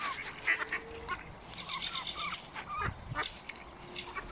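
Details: Nine Mallard ducklings peep faintly in a high, thin chorus of rapid overlapping notes on their first swim with their parents, 15 April 2022 at Smithspool, Fenton, Stoke-on-Trent, with a faint watery background.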